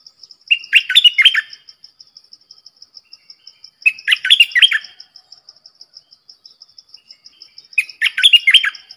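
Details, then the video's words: Caged decoy bulbuls, four birds, repeat the same chattering, warbled phrase about every three and a half seconds. A steady high ticking carries on between phrases. "เสียงต่อนกดอกแตงEp.68 เสียงต่อจากป่าจริงๆ นกต่อ4ตัว!!! Suara merbah lekir gacor"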